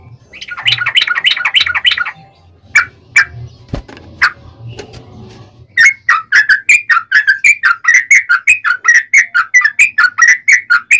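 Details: Yellow-vented bulbul song in the long rapid-fire style, used to provoke other bulbuls: a rattled chatter, then a few sparse notes and a soft thud, then a sustained run of clear, slurred whistles about three per second.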